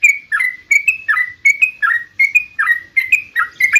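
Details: Yellow-vented bulbul sings to trigger replies from caged birds: regular, liquid, bubbling notes, roughly three per second, each with a short downward slur.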